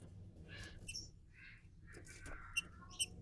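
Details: Captive-bred green-winged saltator (Saltator similis) warming up before its main song, with scattered short whistles and buzzy, chattering notes at mid to high pitch, over a low steady hum.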